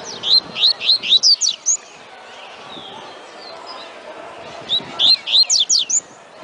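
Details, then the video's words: Tui tui song of a double-collared seedeater, two quick bursts of sweeping high whistles, each six or seven notes strung tightly together, separated by a few seconds of quiet background hiss. "COLEIRO CANTANDO TUI TUI"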